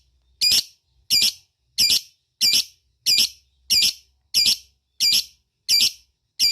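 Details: Lovebird calling companions with harsh, buzzy high squawks, each short and loud, repeated at a regular pace of about one every two-thirds of a second in a quiet room.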